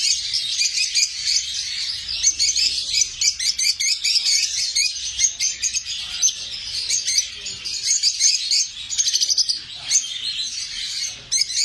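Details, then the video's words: Lovebirds chattering continuously in high, shrill, rapid chirps and squeaks, many overlapping notes packed closely together, with no other clear sounds. "লাভবার্ডস পাখি"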